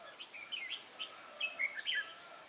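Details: Wild-caught caged Red-whiskered bulbul singing duel-style on 22 October 2018. Several short slurred whistles, some rising and some falling, come in a quick run over faint insect-like buzzing.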